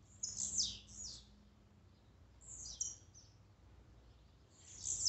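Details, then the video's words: Blue-black grassquit songs recorded to excite a kept bird: a couple of high, buzzy falling notes at the start, a thinner whistled note midway and another buzzy note at the end, over low background noise. "Melhor esquente de tiziu,cantos e macheados para enlouquecer sua ave."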